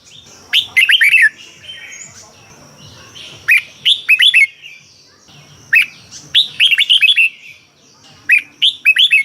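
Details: Caged Red-whiskered bulbul from Thailand, song played to excite other caged birds. About seven short phrases of three or four bright, slurred, hooked whistles, each phrase coming every two to three seconds.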